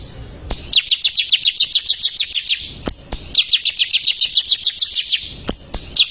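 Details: Bar-winged prinia in full, lively song, recorded as a master track for training caged songbirds: two bursts of about two seconds, each a fast run of sharp, high, evenly spaced chips, a short pause between, and faint clicks in the background.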